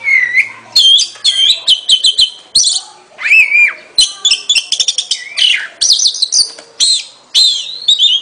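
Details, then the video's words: An Oriental magpie-robin sings a rich, varied, almost continuous run of high, clear whistles, sliding notes and quick chattering phrases. "เสียงนกกางเขน ร้องชัดเสียงชัด"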